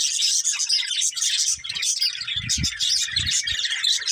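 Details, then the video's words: Budgerigars keep up a steady stream of shrill chirps and warbled notes. Low rumbling bumps sound in the second half. "Cute Budgies Chirping Sounds"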